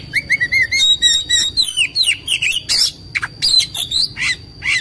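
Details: White-rumped shama, an agitated, fighting male singing with tail spread: loud, rapid varied phrases of whistles, sharp rising and falling notes and harsh buzzy squawks, delivered in quick bursts of about eighty per minute with short gaps.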